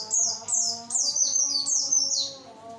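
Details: Javan white-eye song played to lure males: rapid high, thin whistled phrases, each slurring sharply downward, about five in under three seconds, over a steady low humming tone in the background.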